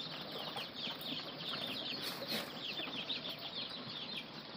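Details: Ducklings (anak bebek) calling with a dense, continuous chorus of high, short peeps overlapping throughout, steady in level, with some rustling and soft flapping sounds underneath.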